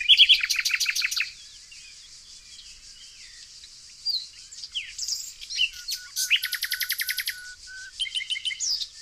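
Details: Singing nightingale in Tonekabon's evergreen forest country, Mazandaran, northern Iran. Opens with a loud, fast stuttering trill, then a pause, then more phrases of rapid, evenly repeated notes and short whistles, with a high background hiss.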